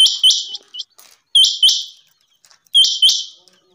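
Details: Three bursts of strong, high, doubled notes from a rain quail, each pair sharp-edged and evenly spaced about 1.3 seconds apart.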